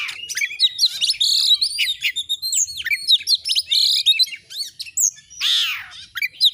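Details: Lively song of an Oriental magpie-robin (kacer), a tutor recording meant to rouse other birds: dense run of sharp chirps, rattles and whistles, nearly unbroken, with a harsh buzzy burst late on.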